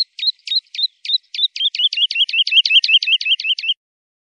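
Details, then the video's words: Song of a bird named in Arabic as al-walwal, used to tutor young European goldfinches: a clear, high phrase repeated over and over, a sharp downslurred chip tied to a short whistle, speeding to about five a second, then stopping. "تغريد طائر الولوال وتلقين صغار الحسون"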